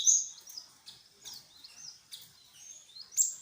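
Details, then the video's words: Great tit, called glatik wingko, in a lure recording meant to make wild birds answer: thin high chirps and slurred whistled notes come in short clusters about every half second over faint background noise. "Suara pancingan burung glatik... Pasti nyaut."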